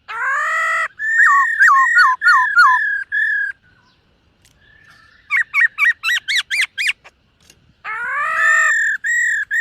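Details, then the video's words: Silver-eared laughingthrush in morning voice training: a strong varied whistled phrase with dipping notes, a fast series of rising chirps, then long level whistles. "Khướu BẠC MÁ hót MÚA luyện giọng . Khướu hót sáng luyện giọng kích bổi"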